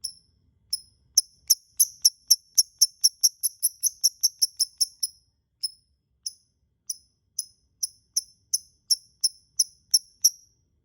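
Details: Lovebird sound used as a lure to make other lovebirds sing: sharp, high chirps repeated steadily about three per second, with short pauses between runs; no other sounds.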